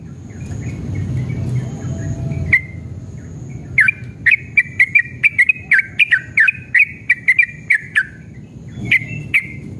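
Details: Yellow-vented bulbul in energetic, emotional fighting mood, singing a long rapid ropel, used as a lure so caged birds answer. After a quiet start, bright whistled notes near one pitch come fast and repeated, over low rumbling background noise.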